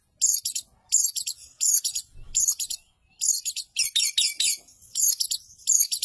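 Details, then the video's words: A long-tailed shrike sings rapid, high, scratchy bursts of chattering notes about a second apart, mixing in copied calls of other birds such as sparrow, canary, lovebird, kapas tembak and cililin. "Masteran Cendet Tonjolan Isi Gereja Kenari Lovebird Kapas Tembak Cililin"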